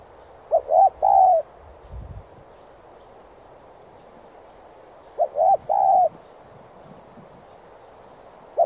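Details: Cooing of a spotted dove kept to train decoys: two phrases about five seconds apart, each two short notes then a longer drawn-out coo, with a faint high rapid chirping from another bird in the background and a soft thump.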